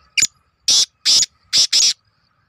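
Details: Black francolin, known locally as Kala Teetar, calling: one short harsh note, then four longer rasping bursts in quick succession over about a second and a half. The sound is loud and close, with no other sounds.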